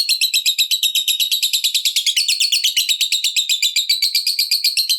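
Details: Long ngekek chatter of a fighter lovebird, played to provoke rival lovebirds into singing: dense, rapid, high-pitched buzzy pulses running continuously, the pitch slowly climbing toward the end.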